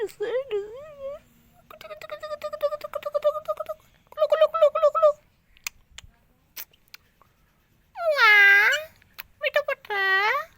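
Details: Green parrot in India talking in Hindi, uttering short wavering speech-like syllables, then fast rhythmic repeated chattering notes, and ending with two loud drawn-out nasal words.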